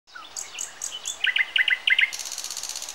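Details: Common nightingale singing: a brief low whistle, then spaced high sharp notes, a run of quick paired chirps repeated about five times, ending in a fast, dense, very high rattling trill.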